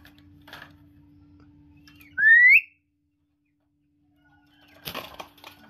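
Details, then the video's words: Pet talking common hill myna indoors: a single loud, pure whistle sweeps upward in under half a second, followed by silence and then soft rustling and handling noises near the end. "মানুষের মতো কথা বলা ময়না পাখি,,, Talking Hill Myna Bird"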